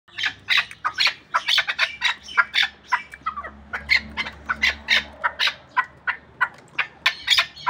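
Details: Pamir hunting chukar partridge giving rapid, harsh chuck notes, about three each second, overlapping in a dense chattering series with a faint low hum behind.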